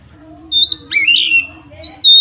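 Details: Oriental magpie-robin singing in full 'ngeplong' style to provoke rivals: a level whistle, a swooping up-slurred phrase, a high drawn-out note and a final piercing whistle, over a soft steady hum.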